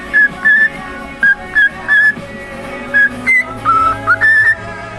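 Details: Pet cockatiel mimicking Jingle Bells with a run of short, clean whistled notes at a steady middle pitch, then a higher note and a lower held tone before a rising slur. The notes come in quick, uneven bursts over quiet room noise.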